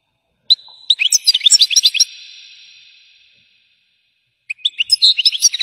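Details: European goldfinch singing in the style known as batbata: a burst of rapid, liquid twittering and chirpy high notes lasting about a second and a half, fading into an echoing tail, then a pause before the twitter resumes.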